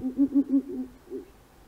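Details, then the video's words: Ural Owl in Central Russia giving a quick run of four low, hollow hoots about six per second, followed by two fainter, softer notes. "Long-tailed Owl"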